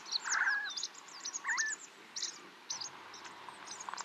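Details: Snow partridge near Tungnath Temple in Uttarakhand, India, at 3700 metres altitude: a loud harsh rattling burst, then a shorter twisted squeal, followed by quieter scattered high chirps.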